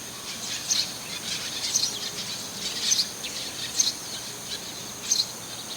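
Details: Eurasian tree sparrow perched on a roof, the same individual heard calling there repeatedly of late: brief bright high chirps, often doubled, repeated roughly once a second, five bursts in all, with a faint steady high-pitched tone behind.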